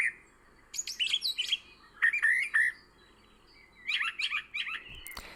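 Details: Brown Thrasher in April, flitting from bush to bush near the ground along the Towpath Trail by the old Ohio and Erie Canal, Ohio, giving varied bursts of rich, slurred and chirpy notes in short phrases with pauses.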